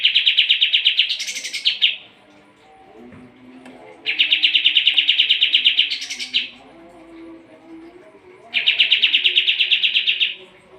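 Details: Sooty-headed bulbul singing lively for training competition birds: three long bursts of fast, buzzy chattering, each ending in a higher rising flourish, separated by quiet gaps of about two seconds.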